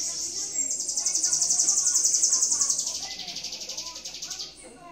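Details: Sibite (bananaquit) singing while a man talks to it and encourages it: a high, thin, buzzy trill of rapid repeated notes, about four per second, sustained for roughly four seconds and then dropping slightly in pitch.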